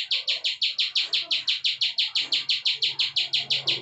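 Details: Plain prinia, called ciblek sawah, in vigorous klik song: buzzy high notes repeated evenly about three times a second over a quiet, faint low hum.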